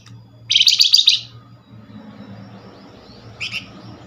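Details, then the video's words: Quick lure call of a Flamboyan, aimed at getting other Flamboyan birds to answer: a dense, rattling, buzzy burst lasting under a second, then a short, quieter double note later, with a low hum. "Flamboyan call nyerecet pancingan cepat paling direspon."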